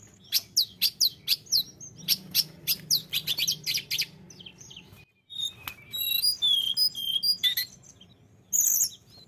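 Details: Tledekan gunung singing actively: a steady row of sharp high clicks about four per second, a brief gap, then varied thin whistles and twittering phrases.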